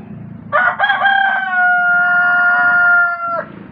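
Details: A free-range rooster showing off gives one long, ringing crow: a harsh opening that settles into a steady, drawn-out note; the rooster is said to end up injured.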